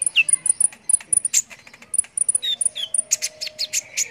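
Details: Brown-throated sunbird singing actively, recorded for tutoring competition birds: very high, thin ticking notes in quick clusters, broken by a few lower slurred whistles and a faint steady tone in the background.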